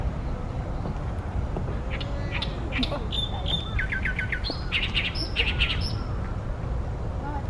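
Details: Loud song of an Oriental great reed warbler in late May 2020 at Ashiya, Japan, hidden in tall branches over a reed pond: strings of coarse, croaking, chattering notes in quick groups, some stuttered rapidly, over low background rumble.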